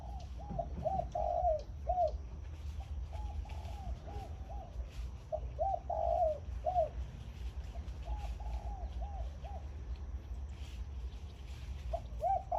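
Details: Caged zebra dove used as a decoy, morning khan yon song: repeated rippling phrases of soft, hollow coos and trilled notes, separated by short pauses, against a low background rumble.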